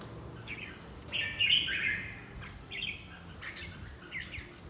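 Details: Red-whiskered bulbul in fight training: a loud rich warbled phrase at about one second, followed by several shorter chattering notes, over a low rumbling background.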